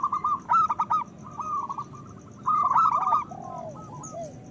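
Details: Local zebra dove singing loudly, used as a lure to stimulate breeding desire in other doves: rapid stuttering pulsed coos in two bursts, with softer drawn-out arched coos between and after them.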